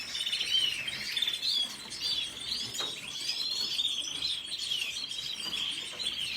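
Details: Steady warbling twitter from a red siskin, with looping whistled phrases and chirps repeated over a faint background hiss.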